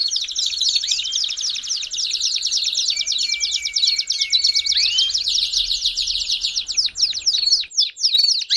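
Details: Belgian canary song for warming up canaries: long unbroken run of fast high trills, one sustained flat whistle midway, ending in scattered sharp notes.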